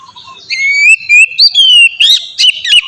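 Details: Oriental magpie-robin, singing relaxed and open as a lure for others of its kind: long drawn, gently rising whistles followed by a few short, bright, emphatic notes.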